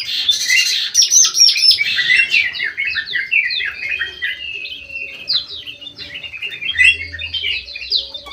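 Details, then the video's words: Golden bulbul with white eyes, singing actively in an aviary: a noisy burst opens, then rapid descending chirps and whistled slurs run on steadily. "KUTILANG EMAS MATA PUTIH SUPER GACOR"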